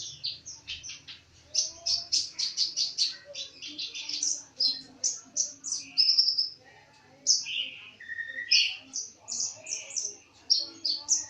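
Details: Lively bird song at full voice: a fast, varied run of high chirps, trills and short whistled notes tumbling one after another with hardly a pause, with faint background murmur beneath.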